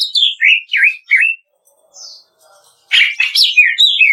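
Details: Greater green leafbird song of the 'kretekan' type meant to spur other birds into singing: several clear, dipping whistled notes, a short pause with faint sounds, then a burst of dense, twittering, high chatter.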